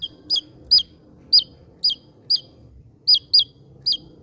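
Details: Javan white-eye, a bird endemic to Java, singing sharp notes: clear high hooked chirps, each rising then dropping, repeated at uneven intervals of about half a second. Faint low background rumble.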